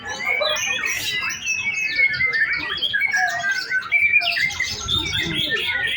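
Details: White-rumped shama in singing contest practice, kept caged, delivering a loud, fast medley of bright whistles, buzzy trills and sharp chirps without pause, some higher squeaky notes near the end.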